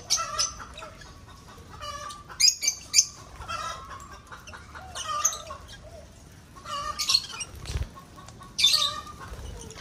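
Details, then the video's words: Lovebirds breeding in an aviary give short, shrill, harsh screeches in separate bursts, about five loud ones spread across the recording, over a steady background of lower, softer repeated calls and faint rustling. "Vẹt sinh sản lovebird aivery color"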